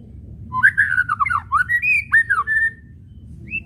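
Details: White-rumped shama whistles, used as a lure to make other shamas sing: a string of clear, quick whistled notes sliding up and down, then a long level whistle and one short high note after a pause, over a low steady hum.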